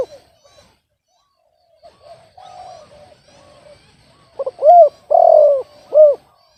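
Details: Spotted dove said to have an off-key voice. Soft, distant-sounding coos come first, then a loud close phrase: quick stuttered notes, an arched coo, a long harsh falling coo and a final hooked coo.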